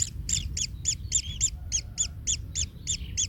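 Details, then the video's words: Baby kingfisher in the nest, hurt after being trampled by its parent: evenly spaced, shrill, buzzy notes, roughly three and a half per second, each short and slightly downcurved, with soft low noise behind. "Anak Tengkek Terinjak Induknya Hingga Kesakitan"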